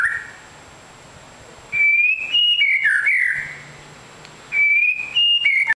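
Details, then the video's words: White-rumped shama of the long-tailed type, called a super fighter, giving two bursts of high, fairly steady whistles with slight up-and-down inflections, separated by a silent pause of about a second. "MURAI BATU EKOR PANJANG SUPER FIGHTER"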